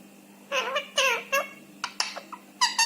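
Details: Rescued Indian ringneck parakeet talking indoors, mimicking Hindi words and phrases; a few quick, squeaky, speech-like syllables in separate short bursts, fairly faint, in a quiet room with a low steady hum.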